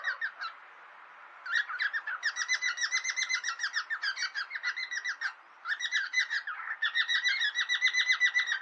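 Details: Friendly squabbling between pet cockatiels: bursts of fast, raspy, evenly pulsed chattering, interrupted by two short pauses, then resuming at full strength.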